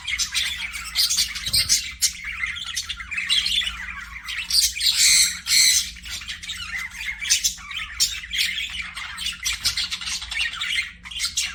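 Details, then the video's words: Pet budgerigars in an aviary keep up a busy chatter of shrill squawks and quick twittering chirps, loudest in a burst of piercing calls about halfway through. "PARAKEET NOISES"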